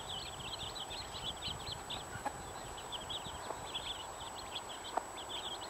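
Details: Fifteen chicks with their mother hen keep up a busy chorus of high, short peeps in clustered bursts, a few low soft taps between, under a constant faint hum.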